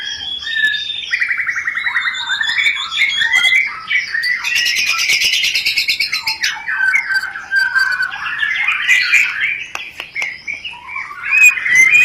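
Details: Rencetan chattering of a white-rumped shama used to spark mating readiness: whistled notes, then a long rippling trill, dense buzzy chatter and sharp clicks running continuously for about twelve seconds.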